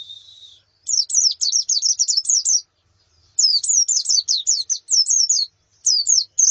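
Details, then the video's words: Calls of a female white-eye and flock, for training a male's song: a soft steady note, then lively bursts of high, sliding chirps separated by short gaps. "Suara Pleci Betina dan Koloni Untuk Terapi Kicau Pleci Jantan"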